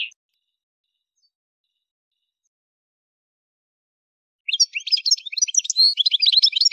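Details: Singing Algerian goldfinch, Souk Ahras region at Kef El Hammam, recorded for tutoring caged birds: silence, then a lively burst of fast, jumbled, tinkling twitters over the last two seconds.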